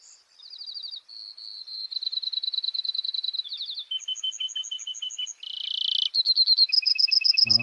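Brewer's Sparrow singing a long, unbroken run of high, dry trills and buzzes that switch speed and pitch every second or so, ending in a brief low thump.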